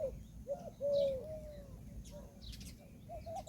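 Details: Peahen of the Indian peafowl calling: a few short nasal notes, then one longer drawn-out note that sags slightly. Scattered high chirps from other birds follow over low background rumble.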